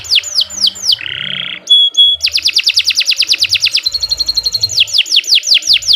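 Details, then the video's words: Canary song, long and continuous: fast trills of descending whistled notes, a buzzy low rattle, bright steady tones and rapid repeated chips, loud and close, in clean conditions with no other sounds. "Kicau Burung Kenari 107 II GACOR PANJANG"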